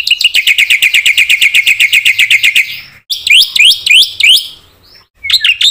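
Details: Black-winged myna song played to provoke other mynas: a rapid, regular chatter of high chirps for nearly three seconds, then a few loud, upward-sweeping whistles separated by short pauses.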